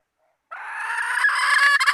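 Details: Hen sounding a bait call: after half a second of silence, one sustained, strained nasal note swells steadily louder for about a second and a half without a break.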